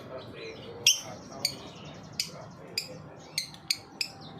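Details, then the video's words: Lovebird ngetik song, meant to lure young lovebirds into singing: thin, sharp high ticks spaced about half a second apart over a quiet background. "Burung Lovebird ngetik pancingan lovbird paud"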